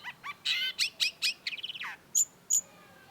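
A Long-tailed Shrike sings a rapid, varied run of harsh chattering notes and a falling buzzy trill, then two thin, high whistles. Nothing else is heard.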